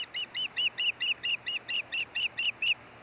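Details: An osprey calls at its Hellgate nest in Montana, 16 June 2013, as mates change over: an even string of about twelve shrill, slightly down-slurred whistles, roughly four each second, with a faint hum beneath.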